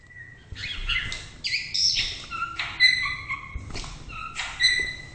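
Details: White-rumped shama song of clear, pure whistles mixed with short harsher chattering notes, some high and sustained, some dropping lower, arranged in separate bright phrases over about five seconds against quiet background noise.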